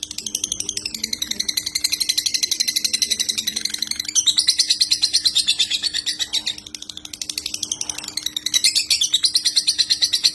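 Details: Murai batu, the white-rumped shama, in a clear competition-style master song packed with tembakan volleys: long sweeping high trills pulsing roughly three times a second, breaking briefly twice, over a constant low electrical hum.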